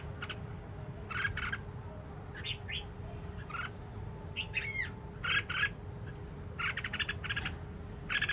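Red-whiskered bulbul giving short, bright, chattering notes in bursts every second or so, with a low rumble and a steady hum behind.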